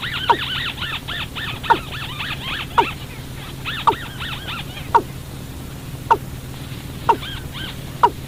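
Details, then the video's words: Watercock call played as a night-time trapping lure. Single falling notes come about once a second, while a run of higher, arched, chattering notes overlaps the first half. A constant low hum sits underneath. "tiếng chim cúm núm 14 để bẫy chim đêm"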